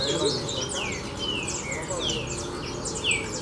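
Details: Several green-winged saltators excited by a loose female at a country property trade loud, clear whistled phrases with falling slurs about once a second, over a low background rumble.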